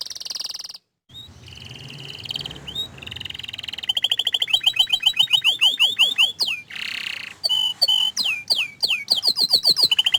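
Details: Shy canary singing buzzy notes that give way to a long run of rapid, regularly repeated descending whistles. A harsh buzzy burst and more sharp sweeping notes follow.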